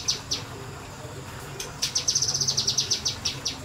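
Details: Kinoi bird in semi-wild conditions: two sharp high notes, a pause, then a fast rattling series of about fifteen clipped, high chirps in 'nembak' style.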